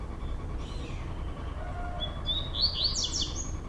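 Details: Two caged male double-collared seedeaters singing against each other indoors in Brazil; a faint thin whistle gives way to a high buzzy, rasping phrase over background hum.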